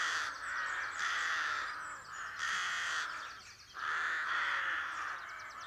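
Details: Rooks building nests at a rookery on the main street of Belcoo, County Fermanagh, Ireland, on a cool calm March morning, caw in a busy chorus of harsh overlapping rasping calls about every second, often alarmed by movement or cars.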